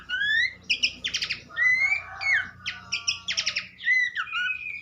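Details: Horsfield's babbler song used to spur other babblers to sing: rising whistled notes alternating with harsh, rasping buzzy bursts, loud and fast-paced, with a faint low hum beneath.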